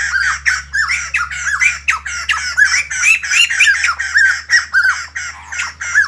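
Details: Morning singing by a white-crested laughingthrush: rapid cackling phrases come in pulses about every half second, harsh and laughing, over a steady low hum.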